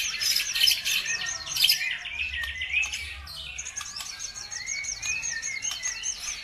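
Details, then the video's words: Lure birdsong to provoke other birds to sing: dense high chattering with quick zigzag notes, easing into softer twittering and a few drawn-out rising whistles toward the end. "BIKIN EMOSI BURUNG NAIK IKUT GACOR"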